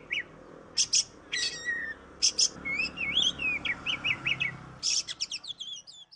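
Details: Oriental magpie-robin singing a model song meant for training other birds: loud harsh chattering bursts, a flowing series of warbled whistles, then a fast sequence of thin, high chips fading out.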